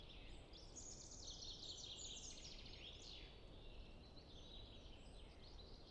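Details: Common chaffinch singing in early spring: bright, overlapping chirps and quick trills, one sliding downward, with light wind in the trees and a steady low background rumble.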